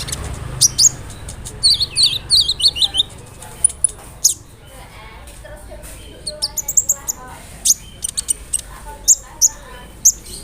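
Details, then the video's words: Sunbird song played to set other sunbirds calling: a run of thin descending whistles, then scattered sharp high-pitched chips and short twitters, arriving roughly three a second in uneven bursts. "SEMUA BURUNG KOLIBRI NINJA AKAN NYAUT DENGAN SUARA KONIN INI"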